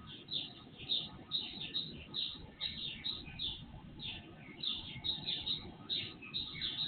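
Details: Pre-dawn birdsong picked up by an IP surveillance camera, volume raised threefold: rapid bright chirps and trills from several birds, bunched in bursts with brief gaps, over low background rumble.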